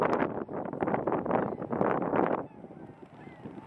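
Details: A huge flock of about 10,000 tundra swans at Grand Bend, Ontario, gives a dense chorus of overlapping high honking hoots for over two seconds, then fades to quieter calls over strong, cold wind.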